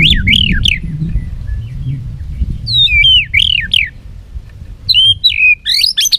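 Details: White-rumped shama singing competitively with tail flicking: bright whistled phrases of rising and falling notes in short bursts, with pauses between, over low background rumble.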